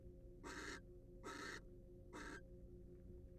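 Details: Wild barn owl recorded at a research-monitored nest box gives three harsh, airy screeches under a second apart; a low humming drone continues throughout.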